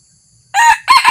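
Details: Red junglefowl used as a decoy, a new rooster brought out for the first time to lure wild fowl. Silence, then a harsh crow starts in two loud raspy pulses, the second breaking into a choppy tail.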